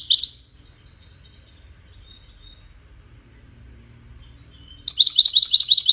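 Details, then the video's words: Widani-style European goldfinch song used to teach chicks to sing: a brief twittering phrase trailing into thin high notes, a long quiet pause, then a fast, sparkling trill begins. "تغريد ويداني لتسميع فراخ الحسون"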